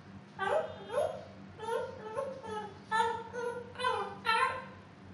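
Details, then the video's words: Pet female African grey parrot, about two years old, that loves to talk: a string of voice-like syllables with stacked harmonic tones, several short phrases rising and falling, with faint high clicks and a steady low hum beneath. "the talking African Grey parrot"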